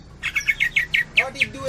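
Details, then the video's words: Kapas tembak style song from a greater green leafbird of Cililin: a quick string of clipped, slightly downslurred high notes, about seven per second. "Cucak Ijo 86 Tembakan Cililin,kapas tembak"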